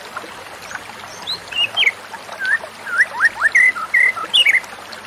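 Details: Soft high notes build into a white-rumped shama's phrase of clear looping, up-slurred and down-slurred whistles in the second half, set against steady hiss; offered as therapy for a stressed bird that stopped singing.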